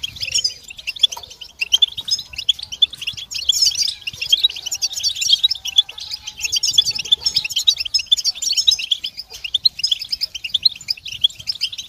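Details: Group twittering of European goldfinches, offered to help birds sing and leave the moult stage; a steady wall of high, jingling chips and twangy trills runs through the whole twelve seconds.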